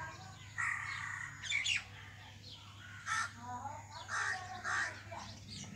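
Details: Common myna, Acridotheres tristis, known locally as shalik pakhi: a series of scratchy, grating squawks and wheezy chatter in spaced bursts about a second apart, with a constant low electrical hum underneath.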